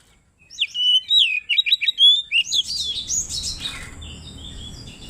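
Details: Oriental magpie-robin singing to call a rival, the 'ngeplong' style used to provoke birds: a fast run of sweet falling whistles, then a hissing, noisy wash of sound as the phrase fades.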